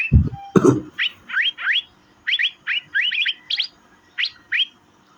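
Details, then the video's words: Asian fairy-bluebird (cucak biru) chirping for mastering: short sharp upward-sweeping chirps, singly and in quick pairs, spaced irregularly over a few seconds, after two low thumps at the start. "Birds Cirphing Master Sound Effect Cucak Biru/Irena Puella"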